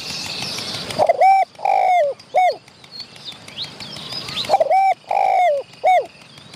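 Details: A wild Spotted dove, showing off near the recording spot and driving off other wild doves, gives two mellow three-note coos, a short note, a drawn-out note and a clipped end, about three seconds apart; faint chirps from other birds behind.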